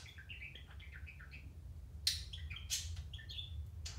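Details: Quiet, tumbling budgie warble of short wavering whistles, then louder sharp clicks, all over a steady low electrical hum indoors.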